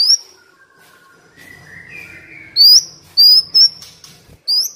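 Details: Black Sunbird training song with rich filler phrases, used to coax captive birds into singing and to lure wild birds down; sharp, high whistled notes, some rising, in short bursts after a quiet opening with faint background murmur.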